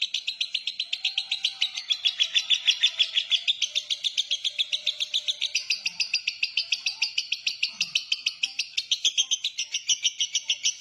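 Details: A long, unbroken ngekek from a lovebird singing in the konslet manner: high, scratchy pulses repeated quickly and steadily from start to finish.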